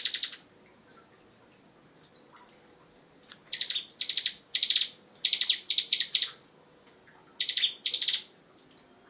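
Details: Bar-winged prinia delivering bursts of loud, short pulsed trills and sharp chirps after a quiet start, the phrases coming in quick irregular clusters.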